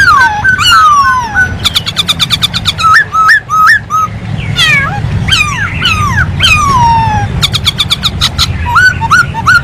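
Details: Masked laughingthrush in lively song: a varied stream of loud whistles, some descending in long glides, others short and hooked, broken by fast rattling clicks, with barely a pause over nearly ten seconds and a low rumble behind.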